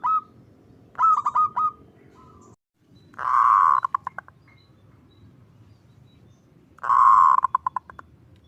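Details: Zebra dove (perkutut) giving 'kerot ngutut kowar' song, used as a training model and lure for other zebra doves. Three mellow cooing phrases sound several seconds apart, each a rolling burst followed by a few short stuttered coos.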